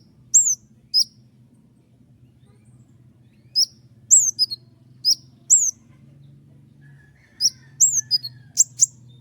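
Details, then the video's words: Common iora's sharp shots come in small clusters of high, downward-flicking whistles separated by pauses of a second or more, over a faint low hum. "roll tembakan panjang dengan tonjolan tajam mewah dari konin gacor"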